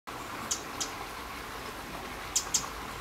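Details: A Eurasian wren gives call notes in the first few seconds: four sharp, very high ticks in two quick pairs a couple of seconds apart, over a steady background hiss.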